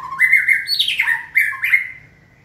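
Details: Trained caged White-rumped shama, stimulated to sing, delivers loud sliding whistles and a harsh, squawky rising-and-falling phrase, ending after about two seconds.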